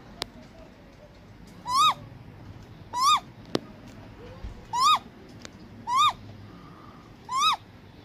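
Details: Great grey owl uttering five short, harmonic, upslurred-then-falling calls at roughly one-to-one-and-a-half-second intervals, with faint clicks and a low background hum between them.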